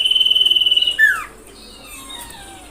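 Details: Common iora lure sound used to excite other ioras: a steady high rattling trill followed by a sharply falling slurred note, then faint background hiss.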